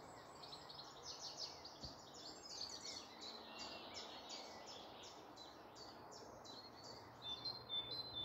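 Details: Woodland birds singing in the morning near Malton, North Yorkshire: a long run of high, fast, chirping notes, about two each second, repeated steadily, with a softer twitter late on and a low rural background hum.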